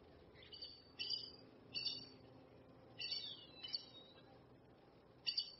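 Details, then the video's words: Red-necked aracari (Pteroglossus bitorquatus) giving short, harsh, high chirping calls in clusters about every second, with a faint hum of background noise. "Red necked Aracari"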